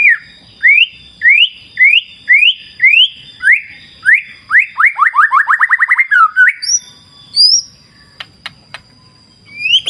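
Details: Murai batu, the white-rumped shama, over a clear wild river: a series of rising whistled notes that speed up into a rapid descending roll, then sparse high sweeps with flowing water murmuring underneath and a constant high hum.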